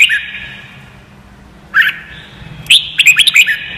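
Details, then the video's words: Song of a Red-whiskered bulbul, meant as a training recording for birds to copy: a ringing note fading out, a short whistled phrase, then a rapid string of five or six sharp chirps. "CHÀO MÀO | Luyện giọng chim hót cực hay"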